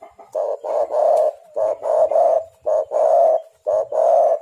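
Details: Spotted dove (tekukur, derkuku), a luring call used to draw other doves into calling: a run of soft, low hollow coos in short bursts, some notes joined by a faint humming link, about one each second.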